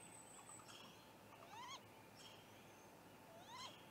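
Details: Great grey owl (Strix nebulosa) pair at a nest, 24 April 2017, as the male delivers prey to the female incubating four eggs: two rising, whining mews about two seconds apart over a steady hum with faint higher chirps.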